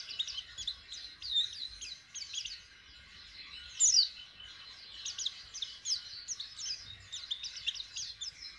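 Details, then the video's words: Young white-eye practising its song, learning to open its beak: a continuous stream of high, thin twitters and quick chips, with one sharper rising note partway through. "Pleci jhonshon belajaran buka paruh"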